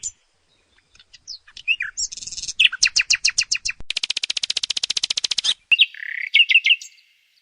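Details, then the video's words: Rich nightingale song: scattered chirps lead into a series of repeated notes, then a long, dense, buzzy rattle lasting nearly two seconds, ending in a few varied whistled notes. "Som do canto do Pássaro ROUXINOL"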